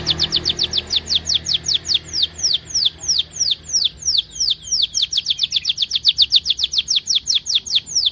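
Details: Canary in full song, used as a lure to prompt other canaries to sing: long runs of sharp, steeply falling whistled notes repeated about two to three per second, briefly speeding into a tight trill near the end.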